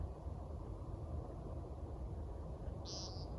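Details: Timberdoodle, or American woodcock, heard at night in a backyard: a single short, harsh, nasal beep near the end, set against continuous low background hum.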